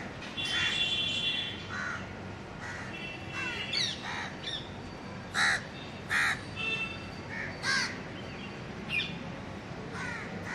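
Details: House crows calling in a Delhi city park, India, communicating with other crows: scattered short harsh caws at irregular intervals across ten seconds, mixed with a thin high whistled note early on and a constant background rumble.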